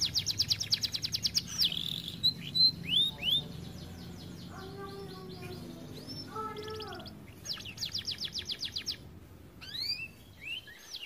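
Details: Canary, said to sing rarely because it is too fat, produces rapid buzzy trills and curved whistled notes at both ends, with a lower, quieter stretch of stacked nasal tones in the middle before the trilling resumes.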